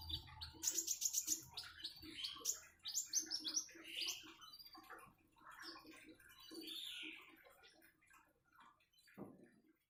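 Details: Common iora singing by trickling water: a rapid, even trill of very high chirps, then sweeping whistles and chatter fading to scattered quieter notes and a faint bubbling of water.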